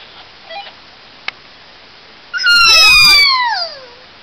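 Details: Newly released 16-year-old male kea meeting a female at Staglands, 18 May 2011, gives one loud, harsh, drawn-out screech sliding downward over about a second; a quiet stretch follows with a faint chirp and a single click.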